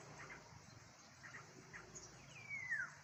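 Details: Black-naped oriole, described as a loud and unusual bird perched in front of the recorder, gives a single clear whistle that slides downward near the end, with soft chirps and a faint outdoor background.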